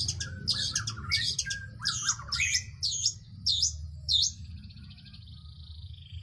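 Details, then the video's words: Long-tailed shrike singing vigorously: a run of harsh, squawky high notes in quick succession, ending in a drawn-out buzzy, rattling trill, over a low background rumble. "cendet gacor manteb banget"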